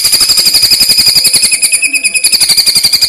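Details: Greater green leafbird kept in a cage, singing contest-style rapid bursts: a continuous high trill of quickly repeated whistled notes, with soft rhythmic low thumping running underneath throughout.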